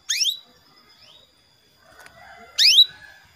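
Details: Female canary calling the male: two sharp upward-sweeping calls climbing steeply, the second louder, about two and a half seconds apart, with faint soft chatter between.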